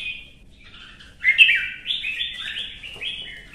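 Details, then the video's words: Competitive singing from a red-whiskered bulbul: a soft lead-in, then a loud, bubbling run of clear warbled notes rising and falling, ending in a fuller phrase. "CHÀO MÀO | Kè kích chim hót đấu kích ché căng lửa"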